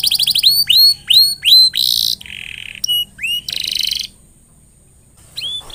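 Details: Canary singing, used to prompt other canaries to sing: repeated curving whistled notes, dense buzzy trills and rolled phrases at high pitch, a short pause, then one final whistled note.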